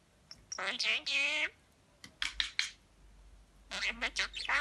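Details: A lemon-coloured pet budgerigar talking in Turkish chatters in bursts of buzzy, speech-like syllables mixed with rasping squeaks; finding: Budgerigar.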